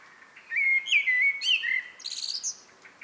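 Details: Common blackbird singing in the evening, a 'good night song': a low fluted warble of sliding whistled notes, then a brief high, squeaky twittering flourish to close the phrase.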